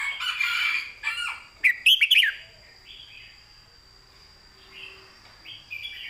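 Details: Red-whiskered bulbul singing master-song phrases: a noisy rustling passage first, then a sharp run of four rapid whistled notes, followed by softer warbled notes and a faint steady high tone.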